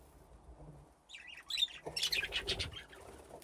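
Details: Budgerigars playing in an aviary with nesting boxes, a flock grown from two pairs. After a quiet start, warbling chatter rises into a lively cluster of bright chirps, then fades.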